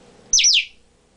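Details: A male pet African grey parrot gives one sharp, high whistled note that slides down and then repeats, lasting about a third of a second, in a quiet room.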